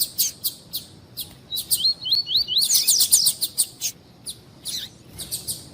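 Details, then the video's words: Coleiro (double-collared seedeater) tui-tui warm-up song for tournaments: sharp separated chips, a chain of four rising whistles, a burst of dense twittering, then more spaced chips. "ESQUENTAR COLEIRO TUI TUI"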